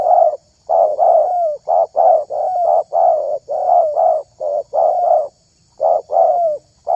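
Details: Spotted dove calling to lure other doves: mellow, hoarse coos in quick runs of short and drawn-out notes, some ending in a falling slur, about one per second with brief pauses between phrases.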